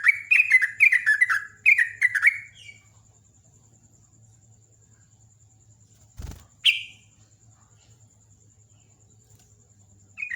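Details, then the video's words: Morning song of a sooty-headed bulbul: quick, lively run of liquid downslurred chirps lasting over two seconds. After a pause come a sharp click and one brighter note, then another short note at the close. "Jogjog ropel ngecruk kicauan pagi"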